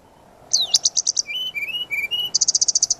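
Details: Brown-chested jungle flycatcher in full-filler lure song: a fast trilled series of high chirps, a string of lower level whistles stepping up and down, then another rapid high trill, over faint background hiss.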